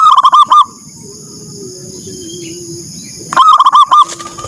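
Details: Zebra dove calling in the morning to set others off: two bursts of quick, staccato cooing notes, with softer distant cooing and a constant high whine in between.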